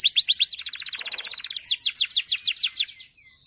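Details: Male canary song used to prompt young canaries to sing: a fast even trill of falling notes, then slower loud descending whistles, fading out at the end.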